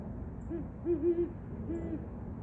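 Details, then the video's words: Great Horned Owl on 24 December 2023 giving deep, soft hoots in a stuttering rhythm: a single note, a quick run of three, then a longer drawn-out hoot. "Great Horned Owl"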